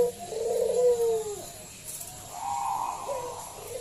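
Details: Local zebra dove used to lure others into song; a long soft falling coo, a pause, then a fainter wavering coo, over steady background hiss.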